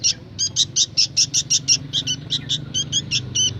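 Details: Juvenile sooty-headed bulbul chirping rapidly, nearly three notes a second, the high clipped notes running in a steady stream before thinning out toward the end; a low hum underneath.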